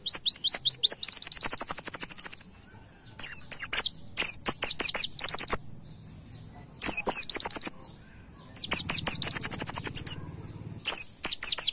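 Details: White-eye 'nembak' song used as a master song for training cage birds. It starts with a long, rapid trill of high chirps, then gives several shorter bursts of sharp twisting notes with pauses in between.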